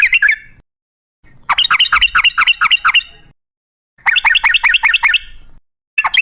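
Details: Sooty-headed bulbul in a wild-style, long rolling 'gacor ropel' song used as a lure to set other bulbuls singing: bursts of rapid, sharp repeated notes separated by abrupt silent gaps.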